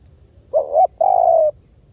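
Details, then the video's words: Spotted dove giving one decoy phrase: a short two-lobed coo rising at its end, then a longer even croo easing downward, with no other clear sounds. "เสียงนกเขาใหญ่!! เสียงต่อ!"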